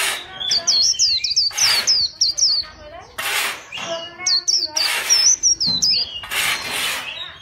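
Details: White-eye for song fighting, chòe style: rapid zigzag twitters high in pitch, alternating with loud broadband crackling bursts and lower buzzy harmonics.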